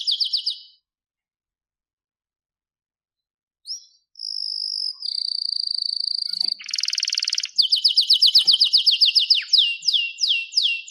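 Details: Canary singing in bursts separated by a long silence, with a pure high whistled note, a dense buzzy rattle and a fast repeated trill of down-slurred notes.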